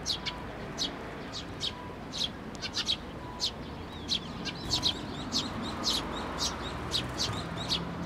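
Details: Sparrows at a shrine (Tenmangu) in May, coming onto a person's hand to be fed; bright, short chirps repeated roughly twice a second from several birds, irregular in timing, over a low background hum.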